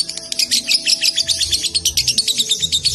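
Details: Konslet-style song of a young lovebird in Salatiga: shrill, tightly packed chirps pouring out in a continuous rapid stream over a faint low background hum.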